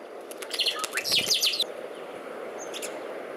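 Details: Saffron finch calling: bursts of short, high, bright chirps clustered between half a second and one and a half seconds, followed by a faint isolated note near the end.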